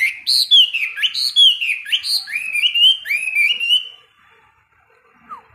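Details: Caged Chinese hwamei in a daily 15-minute morning singing practice for hard-rack birds; about four seconds of slurred, downward-sweeping whistled phrases in quick succession, then near silence with one faint distant note.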